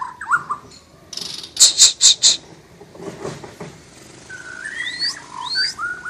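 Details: Asian brown flycatcher singing actively: a few loud, clipped, harsh notes, then a soft wavering whistled warble with rising slurred notes, over faint background noise.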